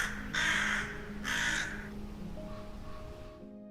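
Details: A rook in the UK gives one of its most common calls, two harsh, grating caws about a second apart, with steady background music underneath.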